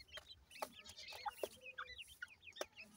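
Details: Partridge chicks playing give quick, thin twittering chirps, many short rising and falling whistled notes overlapping, with occasional sharp clicks and taps in between.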